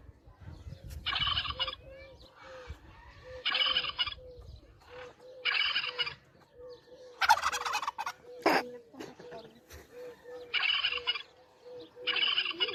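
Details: Turkey competing, letting out rattling, broadband gobbles in bursts about two seconds apart, with lower curved whistled notes repeating steadily underneath and a few sharp clicks between the gobbles.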